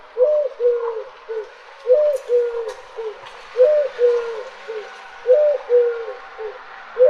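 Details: A mourning dove (Zenaida macroura) gives soft, low, hollow coos in phrases of about four notes, the first swelling upward, repeated roughly every two seconds over faint background hiss.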